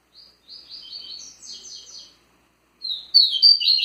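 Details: Kept double-collared seedeater giving Tui Tui song: a softer run of quick repeated high chirps, a short pause, then a louder, sharper burst of twittered notes.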